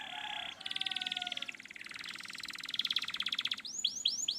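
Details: Canary song played to coax a lazy canary into singing: rapid buzzy rolling trills shifting through several pitches, closing with a few sweeping downslurred whistles.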